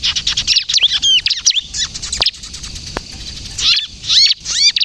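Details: Crystal-type bar-winged prinia in full song, used for luring and as a prompt for untrained birds: bursts of high hooked chirps and sharp ticks, a short lull, then more arched notes.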